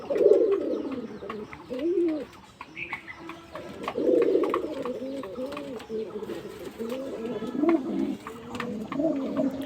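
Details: Courting pigeons indoors coo steadily: low, throaty rolling coos in repeated phrases, swelling and fading over several seconds, with faint clicks and rustling in the room.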